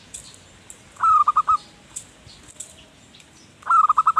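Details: Zebra dove (perkutut) in lively manggung song, used as a lure for wild birds: two clipped bursts of rapid, level cooing notes, the first note of each run longer, separated by a quiet gap of faint ticks.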